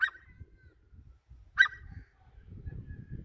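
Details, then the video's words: Grey francolin, locally called teetar, giving two sharp, harsh single notes about one and a half seconds apart, with low background rumble between them. "Grey francolin teetar voice"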